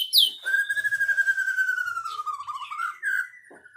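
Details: White-rumped shama song opening with a sharp upward note, then a long sustained whistle that slowly falls and wavers, closing with a brighter rising whistle.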